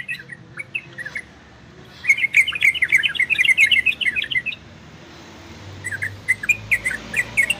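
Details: Orange-spotted bulbul singing in the ropel and garudo style, used to bring listening birds into breeding condition: bursts of quick, bubbly chirped notes, a dense rapid run in the middle, then a pause and a looser run of chirps.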